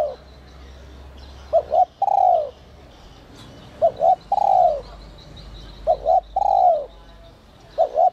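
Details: Spotted dove singing the 'còi te te' whistle voice to provoke wild doves: a steady run of two brief notes followed by a sustained descending coo, repeated roughly every two seconds over quiet background chirps.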